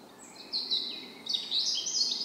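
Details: A bird singing in a forest: thin, high, drawn-out whistles, then a second brighter phrase of sliding whistles over quiet background noise.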